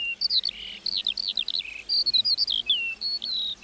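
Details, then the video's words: Lark singing in a meadow: a fast run of clear whistled notes, sliding up and down, with short pauses between bursts and thin high overtones; no other sounds stand out. "Singing lark in the meadow"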